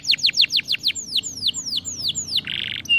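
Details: Stimulating canary song with a quick run of about a dozen clear, downward-swooping whistles that slow slightly. It ends in a brief rasping buzz and a short high note.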